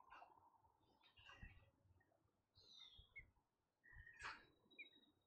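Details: American robins at a nest holding three chicks and one unhatched egg, on a live feed; brief high chirps and short whistled notes come in scattered bursts, with a sharper note near the end, over low rumbling background noise.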